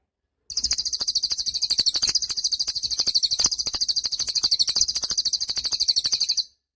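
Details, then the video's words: Cililin song, recorded as a tutor for training songbirds: a dense, very high trill of rapid buzzy pulses, about eight per second, held unbroken for nearly six seconds with faint ticks beneath. "Suara Cililin Burung Gacor (Cocok Untuk Masteran Burung )"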